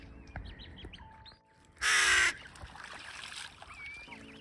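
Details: Young crow of a crow family begging its parents for food outdoors: a single loud, harsh, rasping call of about half a second, with faint thin whistles and background bird chatter around it.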